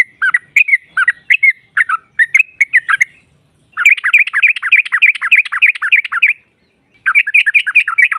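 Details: Female sooty-headed bulbul singing to provoke rival birds: bright bubbling phrases around mid-high pitch, short bursts early then a long rapid chattering run, pause, and another quick series; clean recording with no other sounds.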